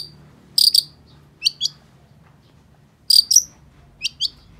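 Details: Long-tailed shrike uttering a few isolated bursts of harsh, buzzy chips in pairs, separated by about a second of quiet.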